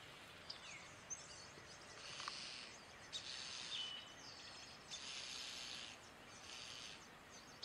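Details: European starling at its nest while feeding chicks: harsh, hissing, broadband bursts about a second long, repeated irregularly every one to two seconds, with faint short whistles and steady background noise.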